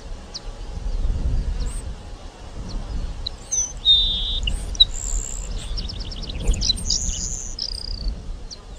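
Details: Song of a Grassland Sparrow: high, thin whistles and a short buzzy trill, followed by further piercing whistled notes, with a steady low rumble and faint distant noise throughout.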